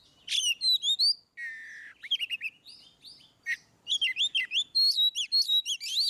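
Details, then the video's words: Oriental magpie-robin singing in ngeplong style, used to prompt birds that seldom sing; varied whistled phrases with rising and falling slurs, a lower harmonic rasp near the second second, then rapid bright chirps and upslurred notes. "Kacer ngeplong | Masteran burung"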